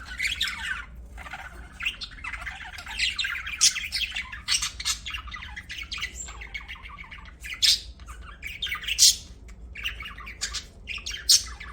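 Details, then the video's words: Budgerigars kept as pets chatter and chirp in uneven bursts, mixing scratchy warbles, short squawks and sharp high clicks, with brief pauses between phrases and a low steady hum in the background. "BUDGIES CHIRPING SOUND"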